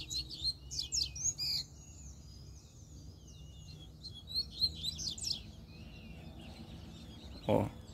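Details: Wild double-collared seedeater delivering scattered phrases of sharp, high twitters and thin slurred whistles, with a knock near the end and a steady low hum beneath.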